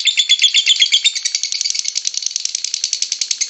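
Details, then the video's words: Lovebird song: a rapid, rattling stream of high, shrill notes, busy and jumbled at first, then settling into a steadier chattering rhythm of squeaky pulses. "LOVEBIRD SINGING"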